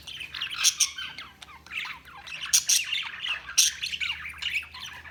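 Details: Budgerigars chirping: a continuous warbling chatter of scratchy notes, punctuated by three loud sharp squawks.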